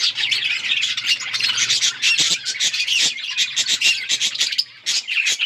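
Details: Pet budgies at play, calling in a dense high chatter of harsh squawks and chirps, punctuated by sharp clicks, with a faint steady low hum behind.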